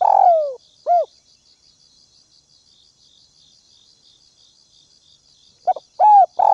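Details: Spotted dove used as a ground decoy, calling to lure and provoke wild doves: a loud cooing note falling in pitch, a short second coo, a pause, then another clipped coo phrase, over a steady high cricket buzz.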